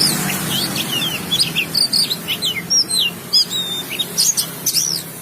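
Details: Oriental magpie-robin song of short whistled notes and sweeping slurs in quick bursts about every half second, over a steady background hiss and faint low hum.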